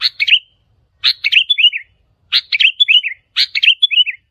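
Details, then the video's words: Sooty-headed bulbul challenge calls aimed at local territory holders: four lively phrases, each a sharp opening note followed by rapid, warbling, downslurred whistles, spaced just over a second apart in quiet surroundings. "เสียงนกปรอดหัวเขม่า นกแทด นกกระแทดดากเเดง เสียงเร้าใจนกป่า ท้าทายเจ้าถิ่น"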